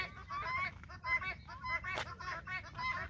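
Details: Farm guineafowl trailing a hen, rhythmic scratchy calls about twice a second, with one short noisy burst in the middle.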